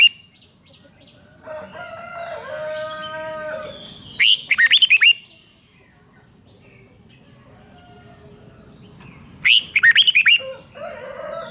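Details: Rik-style song of a Red-whiskered bulbul, used to excite caged birds: a steady, lower whistled phrase from another bird first, then two loud bursts of quick, jerky, chattering notes about five seconds apart.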